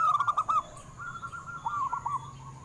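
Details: Zebra dove of local wild stock, played to prompt caged doves to sing: a quick burst of cooing notes, then quieter, softer coos trailing off over low background hum.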